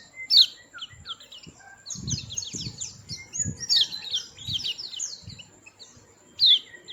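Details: Dense overlapping high twitters and falling chirps of white-eye type, with several soft low thumps and knocks underneath.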